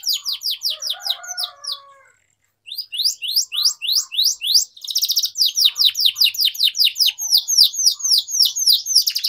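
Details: Atlantic canary used for singing training, pouring out fast high downslurred notes in long runs, with a short pause near the start and then buzzy rattled trills mixed into the steady series.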